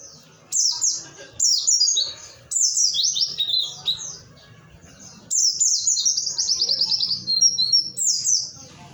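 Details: Oriental white-eye of Pacitan, Indonesia, firing off song material ('nembak materi'): loud runs of quick, piercing high notes sliding downward, grouped in bursts lasting one to three seconds with short gaps, over a quiet low hum.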